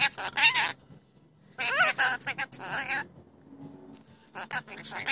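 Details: Pet rainbow lorikeets, newly kept, talking: three loud bursts of raspy, speech-like warbled syllables with wavering pitch, separated by short quiet gaps, with a faint low hum behind.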